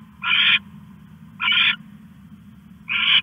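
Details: Owl at night, 1:41 AM on 21 August 2015, stashing a rat: three harsh, hissing screeches about a third of a second each, spaced over a second apart, over a steady low hum.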